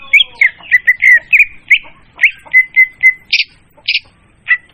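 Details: Trapping lure of a leafbird, clear and loud: quick slurred whistles, then a run of repeated flat whistled notes, followed by two harsh buzzy bursts and a final whistle.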